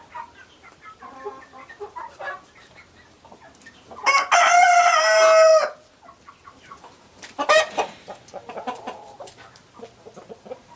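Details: Roosters crowing amid clucking hens: soft clucks at first, then a loud, long harmonic crow of about two seconds, a briefer loud call after it, and more clucking to finish.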